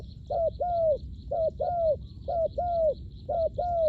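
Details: Spotted dove call used to lure wild doves down to the ground: pairs of low, hollow coos, a short note followed by a longer falling croo, repeated about once a second over faint background hiss.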